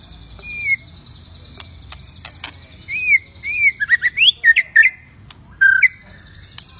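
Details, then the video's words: Aggressive white-rumped shama singing to push other shamas into singing and fighting: separate clear whistles, some arched and some rising steeply, in short, spaced groups over faint background chirps. "Murai Batu Ngamuk Rekomended untuk Pancing MB lain ikut Gacor + Fighter"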